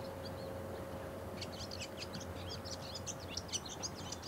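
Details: Bull-headed shrike in Japan giving courtship song, a varied rapid jumble of high chirps and twitters starting after a quiet first second and running on steadily, over low background hum.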